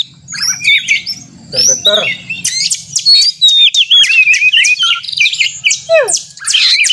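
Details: Oriental magpie-robin heard in fighting song intended to trigger caged birds to sing in contest practice; scattered sharp notes at first, then a fast run of clipped whistles and wavy phrases ending in a falling slur.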